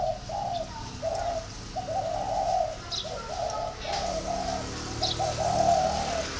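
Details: Steady low coos from a spotted dove, delivered as a chain of short, buzzy, hollow notes with small pauses between them over a dull rumbling background.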